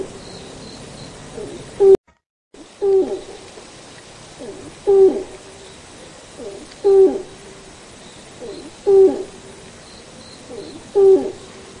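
A Malayan night heron gives deep, hollow hoots, one about every two seconds, low and steady like a muffled owl.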